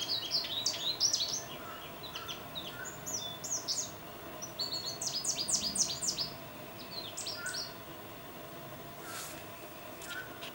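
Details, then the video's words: American goldfinch, recorded with a Nikon D800: a lively run of short, high, bright chirps and twittering notes. The notes come in quick clusters, with pauses between bursts, and quieter notes trail off near the end over a steady background hiss. "American Goldfinch"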